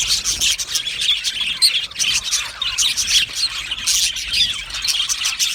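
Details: Many budgerigars chirping happily in an aviary, with busy overlapping high twittering that swells in short bursts and includes a few sharper squawky chirps.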